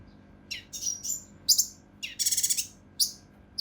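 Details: Cucak rante mas (mountain leaf warbler) singing in the agitated 'kinoi emosi' style with rough, tightly packed 'tembakan' bursts, used for training competition birds: short, very high, sharp chirps and buzzy rattles in separate spurts.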